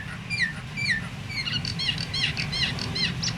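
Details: Myna calls aimed at prompting other mynas to sing: two loud whistles slurring downward, then a rapid series of short arched notes repeated evenly, over a faint low drone.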